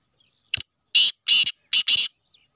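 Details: Call of a black francolin of the Sheedi cross: a sharp opening note, then four loud, rough notes in a set rhythm, ending in a close double.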